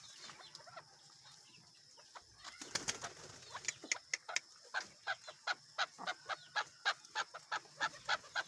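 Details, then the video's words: A tame male desi chukar let loose outdoors gives a long run of short, clucking chuck notes, evenly repeated about three times a second after a burst of wing flapping and scuffling. "Keklik Sesi || Chukar Desi Chakor ki Awaz"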